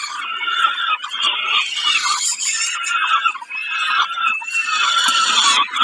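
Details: Peregrine falcon, Kawęczyn, 20.05.22, during a snack: a dense, almost unbroken chorus of loud, hoarse, overlapping wails and screeches with a sustained harmonic tone, rising and falling in intensity.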